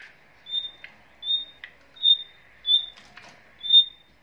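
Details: Male and female nightingale caged with their young: short, pure high whistles repeat about every 0.8 seconds, five in all, with brief soft rasping notes between them.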